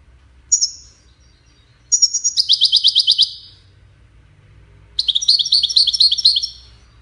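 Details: European goldfinch of the type called Widani singing: a brief high note, then fast trills of ringing, twittery notes repeated in bursts with pauses between phrases, in a quiet setting.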